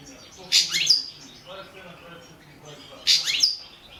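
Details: Balkan goldfinch song from a 2017 world championship competition recording; a pair of bright twittering bursts with a high ringing note at the end of each, spaced roughly two and a half seconds apart over quiet background.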